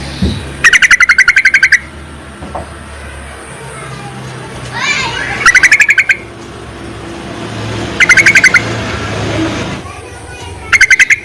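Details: Calling Yellow-vented bulbul, a male-attracting call suited to lure use: four bursts of fast, stuttering chirps, each a rapid run of about eight to ten notes, separated by pauses of a few seconds, with low background noise.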